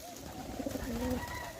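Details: A pet pigeon, said to be sick, gives a low, soft, throaty coo that swells briefly, then fades.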